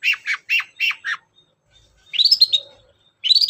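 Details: Long-tailed shrike singing as a lure to set other birds singing: a run of five short harsh chattering notes, a pause, then rising squeaky whistled phrases.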